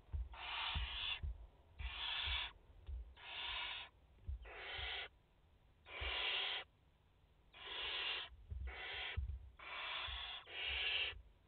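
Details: At a French barn owl nest holding a mother and four chicks, recorded live 30 August 2021, a steady series of about ten short, harsh hisses roughly every second, with light knocking noises below.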